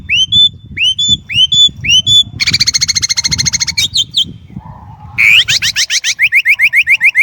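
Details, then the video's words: Chinese blackbird delivering rising whistled slurs repeated about every half second, then a long dense buzzy trill, a few sharp notes, and a series of quick rising chirps; soft low background noise throughout. "烏鶇(黑鶇)的叫聲/Sound of Chinese Blackbird"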